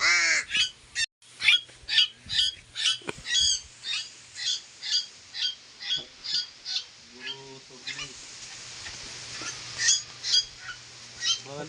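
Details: Captive koleto kept together with pet crows, uttering a long steady series of harsh, scratchy squawks about twice a second, with a lower nasal caw near the end and a faint background hum.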